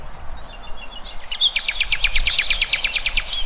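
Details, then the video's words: Bird in the wild: a few soft twittered notes, then a fast, regular run of short, sharp notes, about five per second, over low background noise. "Kicauan Burung"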